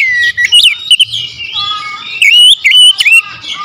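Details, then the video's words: Lure song of an oriental magpie-robin, a varied run of whistled notes, slurred rises and falls, with sharp clicks and short chirps mixed in, loud and high over a faint low hum. "PANCINGAN KACER POWER JELAS TEMBAKAN PEDAS"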